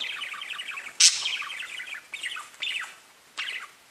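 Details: Pet budgies chatter in a continuous, busy warble of quick high notes, broken by one loud harsh squawk and a few later bursts of rising and falling chirps.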